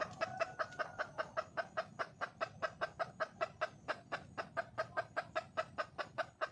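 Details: Red junglefowl female calling to attract a male: clipped, nasal cluck notes repeated about two and a half times per second in a steady, unbroken stream.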